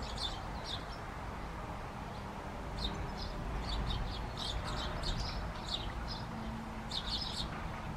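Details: Great tit in the Czech Republic: scattered short high chirps and clipped notes, irregular and fairly dense through the clip, over persistent low-frequency traffic-like rumble.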